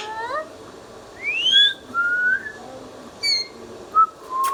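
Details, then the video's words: Captive Indian ringneck parrot whistling: a quick rising upsweep, level and gently rising tones, and brief clipped notes, repeated about every second, indoors with light background hiss. "Ringneck Parrot natural sounds"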